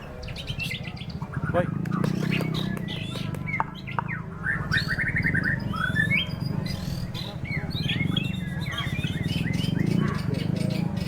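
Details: White-rumped shama singing at a bird-song contest in strong wind: a dense run of varied whistled and chattering phrases, some sweeping, over a steady low wind roar.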